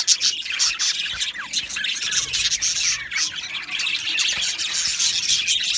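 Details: Budgerigars in an aviary colony of Australian budgies, a dense chorus of overlapping high chirps, squeaks and scratchy warbles running continuously, with a few short descending notes standing out.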